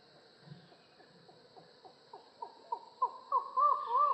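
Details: Collared forest falcon of Latin American rainforest giving a series of short hollow notes that quicken and swell in volume, running into longer, louder wailing calls at the end, over a constant high insect drone.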